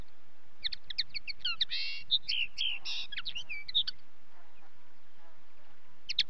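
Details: Common linnet in song: a dense burst of twittering chirps, buzzy rattles and short whistled slides lasting about three seconds, then near silence with faint low noise, and a final pair of sharp chirps.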